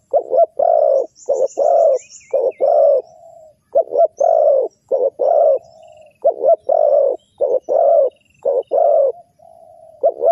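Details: Spotted dove cooing played to lure wild doves into a trap, a run of rough, throaty coos grouped in phrases ending with a softer trailing note, with faint twittering from other birds.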